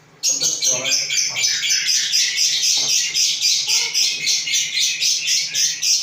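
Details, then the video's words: Magpie-robin singing a fast, buzzy, high-pitched chatter of rasping notes repeated about four times a second in a steady run, with a faint low hum beneath. "Kicau murai"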